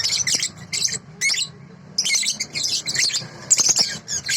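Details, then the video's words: Sooty-headed bulbul song recorded for training other songbirds: busy, sharp chattering phrases of squeaky notes, broken by brief silences, over a faint low hum. "masteran balibu//suara asli jernih"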